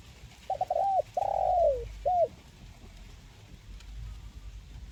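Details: Spotted dove giving a crisp "mersik kuk 1" style coo. It opens with a quick stuttered pair of low notes, then a long drawn-out coo that falls at the end, and a final short coo. A faint background rumble continues afterward.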